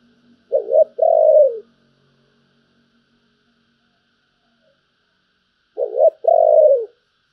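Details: Spotted dove singing in the thổ voice style, a bầu-type coo: two phrases several seconds apart, each a short broken double note followed by a long, smooth, low coo that falls at the end. Quiet background.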